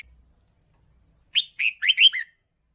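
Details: Red-whiskered bulbul, sound used to train young birds: one cheerful phrase of five quick slurred whistles, each dropping slightly in pitch, in a quiet setting.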